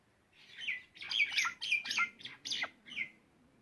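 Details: Song of a myna: harsh, scratchy, broadband notes in short bursts, some with falling whistled tails, roughly six phrases in quick succession in a quiet room-like setting.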